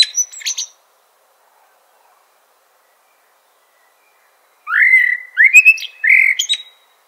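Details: Common blackbird singing: a brief high twittering burst, a long pause, then three fluty warbled phrases that slide upward and end in thin squeaky flourishes; no other sounds.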